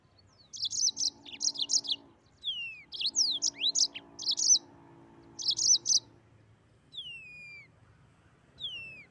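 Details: Energetic 'gacor ngeroll' singing by a Mozambique canary: paired bursts of high buzzy chirps and falling slurs over a steady low droning tone, then a pause and two long, smooth downward-sliding whistles.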